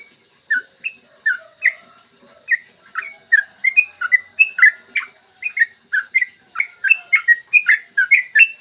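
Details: Clear morning song of a yellow-vented bulbul used as a lure for other bulbuls: spaced whistled notes building into a faster chattering roll of bubbly, rising and falling phrases.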